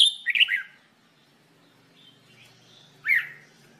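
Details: Red-whiskered bulbul (jambul bulbul) in song training, giving a short liquid warbled phrase, then a soft faint whistle and later a single loud slurred note, over a low steady hum.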